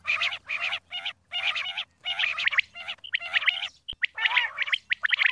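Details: Calls of a female common quail (batair): rough, churring bursts repeated roughly once a second in an uneven rhythm, with a low steady hum underneath and one sharp click near the middle.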